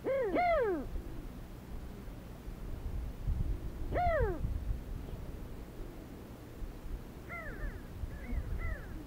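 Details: Desert sandgrouse, flocks coming to drink water, recorded on a Sony HDR-CX405 camera: loud arched, harmonic, mid-pitched calls in a quick double burst, one more call about three seconds later, then fainter higher calls near the end over low rumble.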